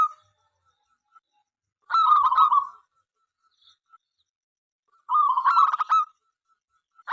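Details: Local Zebra dove in full voice, singing to prompt other zebra doves to answer and sing; two bursts of rapid, pulsed, throaty cooing notes, each about a second long, roughly three seconds apart, with a faint steady tone between.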